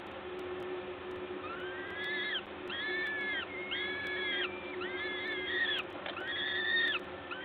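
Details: At a peregrine falcon nest at Gdańsk's LOTOS site on 14 May 2022, 11:07, while a parent feeds, a series of loud, level, harmonic wailing calls begins after a quiet start, each about half a second long, over steady background hum.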